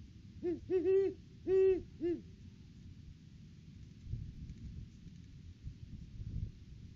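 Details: Pair of great horned owls at the nest tree in the off-season, December, hooting together: a quick burst of five deep hoots in the first two seconds, then low rumbling background noise.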